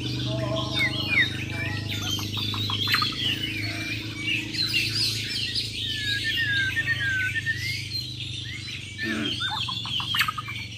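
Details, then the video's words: Champion Bornean white-rumped shamas from Muara Wahau in a mental-test contest with besetan and tembakan song styles: varied sharp whistles, chirps and quick trills tumbling over one another above a steady low hum. "BURUNG JUARA MURAI BATU BORNEO "MUARA WAHAU" || FULL ISAIN BESETAN DAN TEMBAKAN"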